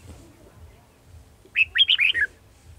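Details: Red-whiskered bulbul at a trapping session on 18 December 2020, where a decoy bird is used to lure wild birds: one quick burst of bright, warbled notes, rising and falling, after low background rumble.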